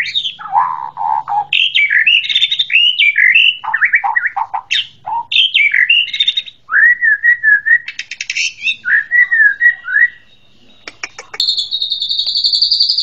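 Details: White-rumped shama song: a rich, fast medley of whistles, warbles and buzzy bursts, some low and some high, ending in a steady high thin buzzing trill.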